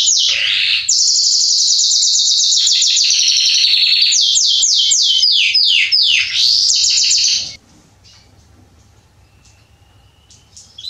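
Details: Warm-up song of a male Belgian canary, Salsa line: seven seconds of loud rolling trills and a cluster of repeated steep falling sweeps, then a quiet stretch with one faint thin whistle.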